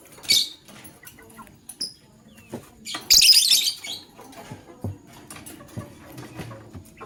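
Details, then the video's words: Male lovebird choosing a partner, recorded in the morning: short high squeaky notes, then one loud harsh chirping burst near the middle, followed by quieter scattered clicks and rustling. "LoveBird Chirping Sounds - Male LoveBird Choose a Partner"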